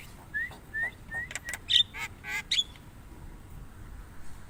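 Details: Javan myna giving three short rising whistles about half a second apart, followed by loud grating, buzzy notes and a last fading rasp.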